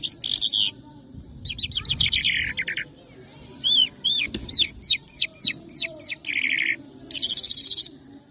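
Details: Lark delivering a Mashadi jal song, Irani or Afghani style: scratchy chattering bursts, then a series of clear upward-slurred whistles about every half second, ending in buzzy rattling phrases.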